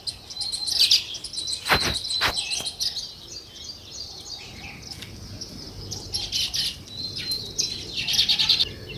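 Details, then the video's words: Natural sparrow chirping, named also as weaver birds: bursts of busy high chirps from several birds, with two sharp clicks early on and quieter twittering between the louder bursts. "Natural Sparrow Chirping Sounds"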